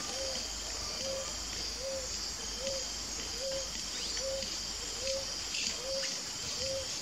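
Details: Ruddy ground dove pair: short, soft, low coos, one roughly every 0.8 seconds, over a steady high hiss of insects.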